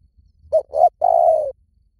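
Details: Lure recording of a spotted dove giving one phrase. Two brief low coos lead into a long, steady, hollow coo that fades downward. No other sounds stand out.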